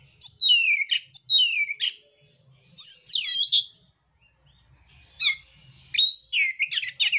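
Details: Fighting song of a mintal oriental magpie-robin, full of rough fill-in phrases. Bursts of high, buzzy notes sweep down into whistles, separated by short silent gaps, with muffled low knocks in the background.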